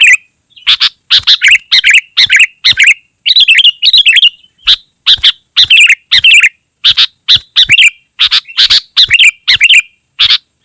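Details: Sooty-headed bulbul singing nonstop, used to attract wild bulbuls and as a model for kept birds: a rapid, busy flow of gurgling slurred phrases and rough notes with hardly a pause.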